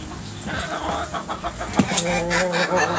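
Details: Roosters and hens in a backyard, pecking and scratching: a few short clucks and one sharp note over a constant low hum.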